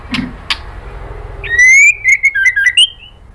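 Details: A female white-rumped shama calls to the male as a lure: two soft clicks, then a long bright rising whistle followed by a quick string of wavering, stepped whistled notes.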